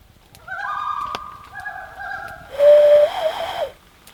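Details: Common loons on a wilderness lake, five cruising by and one splashing mid-lake, give mellow, overlapping held notes, then a brief quavering, wavering call rising over a burst of rushing noise.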